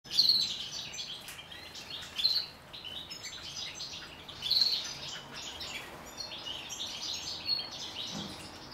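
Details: The owner's pet common blackbird gives brief, high, thin chirps every two to three seconds against a steady background hiss.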